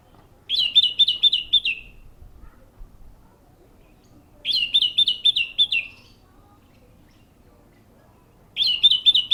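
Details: Orange-headed thrush singing at the Matroji ring: bright, rapid warbled phrases about two seconds long, each a quick run of high twittering notes, repeated roughly every four seconds with quiet gaps between.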